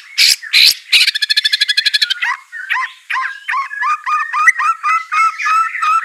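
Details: Song of a caged white-rumped shama being trained to sing: loud harsh bursts, a fast ringing rattle, then a string of repeated whistled, downslurred notes about twice a second.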